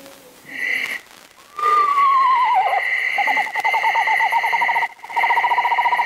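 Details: Eastern Screech-Owl's mournful wailing call, played from a recording to a room of adults and children. A descending, quavering whinny is followed by a long tremolo trill held on one pitch, over a steady electronic whine from the sound system.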